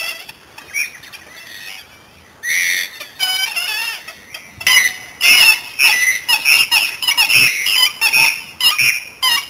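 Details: A Dusky moorhen (Gallinula tenebrosa) in Australia, recorded 2015-12-19, gives harsh, squawking calls in uneven bursts, about one or two per second, after a quiet start.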